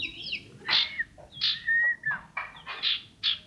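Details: Small yellow common iora kept as a cage bird since a chick, in strong voice: separate loud, high chips about every half second, with a drawn-out level whistle in the middle.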